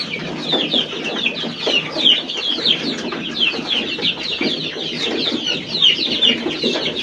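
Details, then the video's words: Domestic chicks peeping together: a dense, continuous chorus of high, short, repeated cheeps from several young birds, with a steady noisy background throughout. "فرخه . صيصان"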